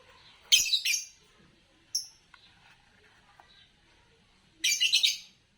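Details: Green Fischer's lovebird, the color favored in Indonesian bird song competitions, uttering sharp raspy chirps: a doubled burst early, a short clear note at two seconds, then a rapid buzzy series of chirps toward the end.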